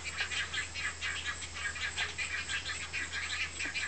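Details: At a nest, a great egret mother feeds her large chicks while fast, crackling clicks pour out continuously in uneven bursts, with a steady low hum underneath.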